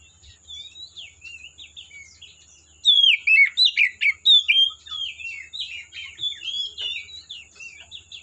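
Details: Oriental magpie-robin song in the forest: soft twittering, then a loud rapid series of about eight sweeping whistled notes, easing into quieter varied warbles.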